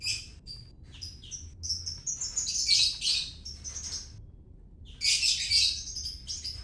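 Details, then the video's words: White-rumped shama, Medan: a string of thin, high whistled notes rising into a long scratchy, buzzy chatter, a pause, then another burst of harsh high notes. "murai batu medan"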